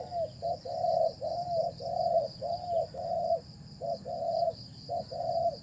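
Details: Spotted dove cooing loudly during decoy trapping: mellow, slightly arched coos in close groups, about one phrase each second, with brief pauses and a constant high insect hum behind.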